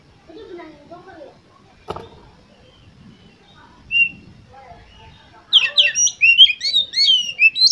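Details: Oriental magpie-robin used to spur competition birds into singing; faint low murmurs and a click at first, then a burst of rapid, varied chirping and whistled notes in the last two seconds.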